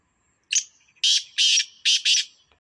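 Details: Black francolin of the Sindhi type calling: one short harsh note, then four loud, grating, buzzy notes in quick succession, the last two closely paired, against a silent background.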